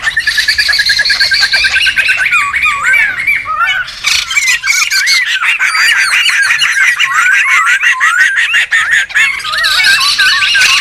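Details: Wild laughingthrushes in a noisy chorus, used for luring and tutoring birds: dense overlapping wavy whistles and harsh squawking chatter, with rapid rattling notes running throughout.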